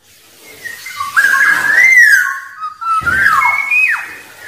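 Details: Song of a wild Black-naped oriole used to call in rivals: two connected mellow whistled phrases, gliding up and down, the second ending in a sharp downward slur, over a light background hiss.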